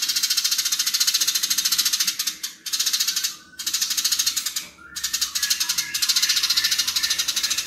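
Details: Long stretches of intense, rapid rattling chatter from fighting house sparrows, harsh and loud. Short pauses break it into four bursts, and faint slurred notes are heard in the gaps.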